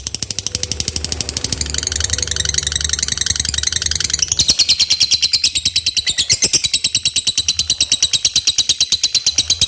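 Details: Lovebird singing in full, chatty 'gacor' style, used as a lure to prompt other lovebirds: a dense, rapid run of high, sharp chirps, roughly seven to eight a second, with a low engine-like hum underneath during the first half.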